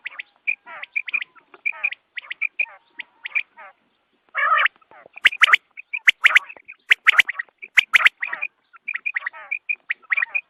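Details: Morning quail calls recorded for hunting: a long series of sharp chirps and twittered notes, with a harsh burst partway and a lively, dense cluster near the middle.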